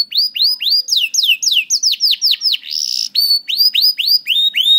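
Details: Canary song for teaching young canaries: repeated clear whistles that rise and fall, roughly four per second, with a brief buzzy note midway, then more steady slurred whistles.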